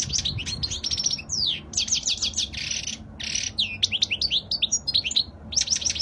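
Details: European goldfinch singing a Spanish-style song: fast liquid twitters and rising slurred notes broken by dense buzzy bursts, with low background rumble.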